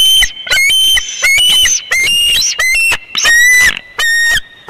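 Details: At the Big Bear eagle nest on 24 February 2021, with an immature Bald Eagle intruding: rapid, excited series of shrill, ringing cries with uneven gaps, some notes bending upward, nearly continuous calling.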